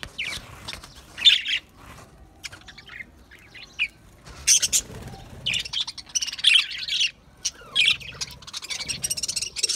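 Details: Budgerigars, Australian parrots, singing. Scattered high, thin chirps and short squeaky bursts come at irregular intervals, with steady soft background noise between them.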